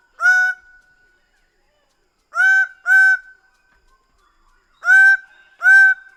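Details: Loud, brassy honks of a Greater bird-of-paradise, each short and upswept at onset, delivered singly and in pairs with gaps of about two seconds of silence.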